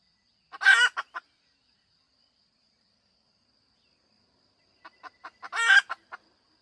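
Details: Two loud, coarse squawks from a hen about five seconds apart, each with a couple of short clucks around it. A silent stretch lies between them and a faint thin high tone runs throughout.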